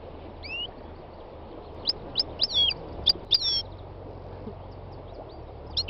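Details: Spring song of a three-year-old North African goldfinch in Tunisia's north-western mountains: a rising whistle, then a cluster of quick, sweeping twittered notes around the middle, quieter chirps later, faint hiss behind.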